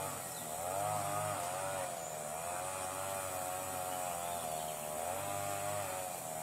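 A droning, chainsaw-like motor whines with wavering pitch and a constant high hiss; no animal voices.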